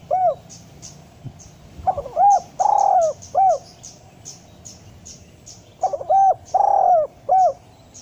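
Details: Spotted dove calling, used to get quiet captive doves to start singing and to lure doves: soft, hollow cooing in two phrases of several notes with a long drawn middle coo, separated by a pause, over faint high chirps.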